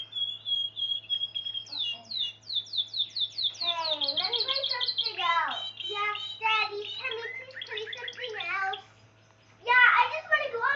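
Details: Spanish Timbrado canary described as pure-bred, singing a continuous song of fast repeated high chirps and rolling trilled phrases, with metallic-sounding runs, a brief pause near the end, then a burst of dense trills over a low steady hum.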